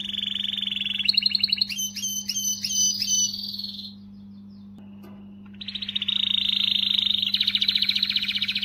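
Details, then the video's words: Canary singing to motivate females: a rapid trill, then bright repeated high chip notes in a steady series, a short silence, and a long loud rolling trill, with a constant low hum beneath. "تغريدة قوية من الكناري لتحفيز .. The strongest tweet from the canary to motivate"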